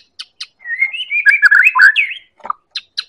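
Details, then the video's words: White-rumped shama of the Medan type singing a rich, fluid run of whistled and warbled phrases that rise and fall, bracketed by sharp ticking clicks and a short harsh note. "Pancingan Murai Batu Medan"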